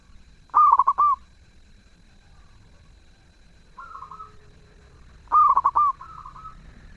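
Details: Zebra dove giving melodious song: a rapid stuttering coo phrase ending in a held note, a fainter smooth coo, then another loud rolling phrase followed by a soft trailing coo.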